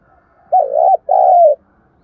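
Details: Spotted dove lure coo used to stir and train decoy birds: a two-part call, a wavering mid-pitched first phrase, a brief gap, then a longer smooth phrase that slides gently downward, with a quiet background.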